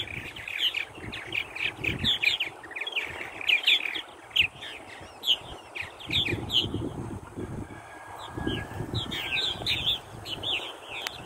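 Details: Purple martins calling together: dense bursts of liquid, gurgling chirps and chatter, many overlapping birds, coming in waves with brief pauses, over low rumbling background noise.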